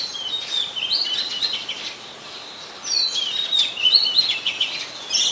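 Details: Oriental magpie-robin, a very common resident, recorded on 24 December 2020 in Ubon Ratchathani, Thailand: bright whistled phrases and chirps between 2 and 8k, clustered bursts with short pauses, mixed notes sliding up and down.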